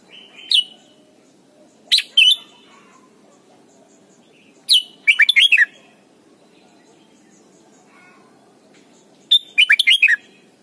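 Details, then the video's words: Red-whiskered bulbul, Thailand, singing to teach young birds: lively phrases of four to six quick, liquid, downslurred notes, given in bursts every few seconds, with single sharp chirps in between. "นกปรอดหัวจุก Thailand Bird: เสียงดีมาก (สอนลูกไก่) เต็ม - ฝึกร้องเพลง"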